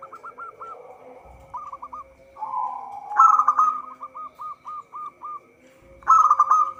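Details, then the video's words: Vigorously singing local zebra dove, a lure recording for trapping birds; staccato hooked coos in short runs, a drawn rolling coo, then two loud burred trills each trailing into evenly spaced clipped notes, with a persistent faint hum. "Perkutut lokal gacor suara cocok untuk pancingan"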